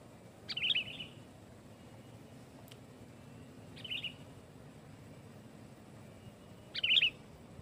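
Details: Sooty-headed bulbul used as a lure to provoke other bulbuls: three loud, short chattering bursts spaced about three seconds apart, with quiet low hum between them.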